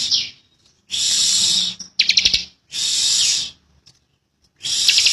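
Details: Bar-winged prinia, a young bird, giving tight 'ngebren' buzzes: high, hissing trills about a second long, alternating with a choppier, clicking burst and quiet gaps.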